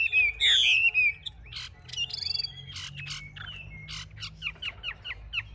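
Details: Caged Chinese hwamei, described as a fierce fighter, performing with raised wings and fanned tail; loud slurred whistles open the song, then a rapid run of short, sharp, high notes and brief trills, with faint low background hum.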